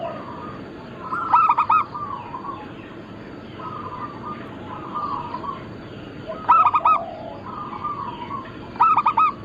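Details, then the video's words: Local Bangkok-cross zebra doves, recorded as lure and tutor material, give three loud bursts of four quick coos, spaced several seconds apart, over a steady background of softer cooing. "Perkutut lokal gacor - Pintar Mengundang Bunyi semua jenis burung kutut Lokal bangkok crossing"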